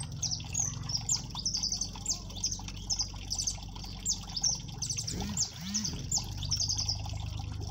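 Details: Siskin (jilguero amarillo) singing 'máquina' style in the cold: a steady stream of rapid high chips and twittering phrases over a constant low electrical hum, with a brief warbling sound near the end.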